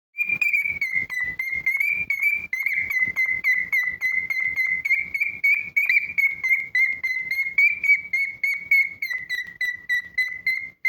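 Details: A pet cockatiel whistling: one long, clear, high whistle that wavers slightly in pitch for about eleven seconds, with a rapid flutter through it and soft clicking underneath.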